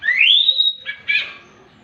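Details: Orange-headed thrush's morning song that gets other thrushes singing; a long upward-sliding whistle followed by two brief buzzy bursts.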